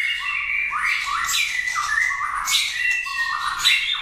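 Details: Caged competition white-rumped shama, a prize-winning contest bird, singing loud, rich phrases of sliding whistles and harsh notes that swoop between low and high pitch, one phrase after another with no pause.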